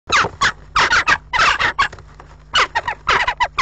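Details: Western jackdaws fighting at a nest box on 7 April, a nesting pair defending it in vicious afternoon battles; harsh, loud, rapid chacking calls in dense bursts, several birds calling over one another.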